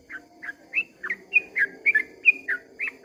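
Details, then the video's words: At dawn, a sooty-headed bulbul gives its long 'ropel' song, bright rising and falling whistled notes in an uneven chatter, some slurred upward, with a soft background hum. "kicau suara trucukan ropel panjang di waktu fajar"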